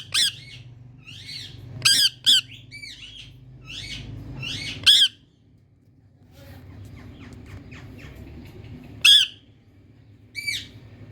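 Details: Rose-ringed parakeet in India producing scattered loud screeches and softer curved chattering notes, with a quiet pause midway before further shrill calls.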